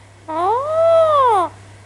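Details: Talking pet Alexandrine parakeet with its owner: one clean, sustained, harmonic note lasting over a second, gliding up then easing down. The owner's affectionate words come just before and after.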